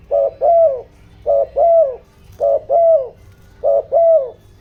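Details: ["Urgent 'giọng đồng' cooing of a decoy spotted dove, meant to excite wild doves. Four evenly spaced pairs of low coos, a short clipped note followed by a fuller, falling drawn-out note."]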